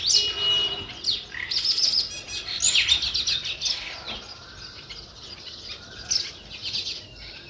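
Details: Sparrows chirping in a natural setting: dense, overlapping high chirps and short twittering notes from several birds, busiest in the first three seconds, then thinner scattered chirps with a few louder bursts near the end.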